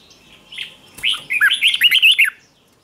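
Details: Red-whiskered bulbul, trained wild-caught bird, giving morning contest song: a soft note, then a quick rising-and-falling run of bright, bubbling whistles lasting about a second.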